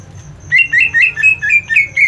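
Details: Greater green leafbird fighting call for mental toughness training: a brisk series of about seven harsh, slurred chattering notes at a steady pace, with faint ticking in the background.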